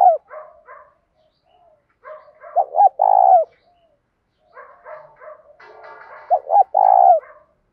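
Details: A spotted dove calls in the morning to attract wild doves with a "thổ pha thúc" voice. Low soft coos lead into two loud phrases, each two clipped notes and a long coo. A faint rattling noise is heard before the second phrase.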